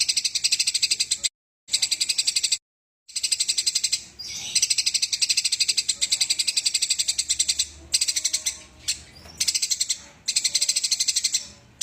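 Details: Eurasian tree sparrow during a fight: continuous, very fast, harsh high chatter with a few abrupt short breaks, against a soft noisy background.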